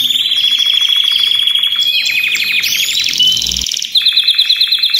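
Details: A group of Belgian canaries singing simultaneously to prompt other canaries to sing; fast buzzy rolls change pitch several times, then a brief pause before a crisp, evenly repeated high chirping series.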